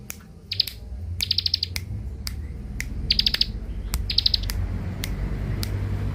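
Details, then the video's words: Lure song from a young bar-winged prinia, known locally as ciblek: short, very high buzzy bursts repeated roughly every second, separated by crisp single clicks, with a faint low rumble underneath. "Ciblek dakun muda pikat mantap"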